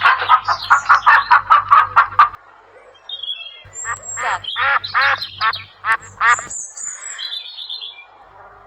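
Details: Duck quacking: a fast run of about fifteen nasal quacks over two seconds, a pause, then slower harsher quacks with some squawks and higher chirps mixed in.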